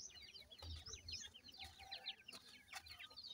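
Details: Grey francolin chicks calling their mother during feeding; a quiet, continuous stream of high, thin downslurred chirps and peeps, many birds overlapping, with a low rumble at the start and a few sharp clicks.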